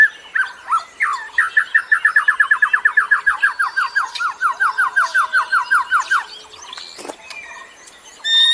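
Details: Birdsong used as a lure for other birds: a fast run of about thirty sharp, downslurred notes, around four per second, fading near the end, then a click and thin high chirps.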